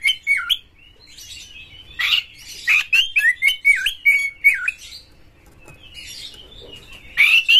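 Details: White-rumped shama, a prize-winning bird in full song with tail spread, used to provoke other shamas: repeated looping whistles that dip and rise, mixed with harsh bursts and fast clicks.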